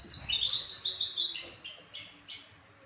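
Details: Australasian bushlark of the Papuan variety in a short burst of song: a loud, high, sweeping chirpy phrase followed by three fading, separated twittering notes.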